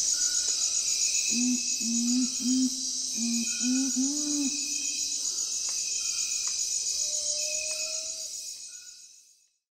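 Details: Nocturnal curassow (urumutum) giving deep hummed hoots in quick clusters of two or three during the first five seconds. A loud, continuous insect chorus follows with a thin, drawn-out tone before the sound fades away.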